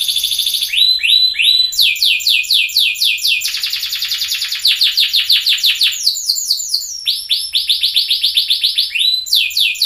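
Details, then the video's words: Orange sunkist-coloured loper canary singing a fast, dense master song: rapid trilled phrases repeated many times per second, switching between high rolling trills and sweeping buzzy notes, with no other sounds. "kenari loper sunkist si warna cantik masteran terbaik"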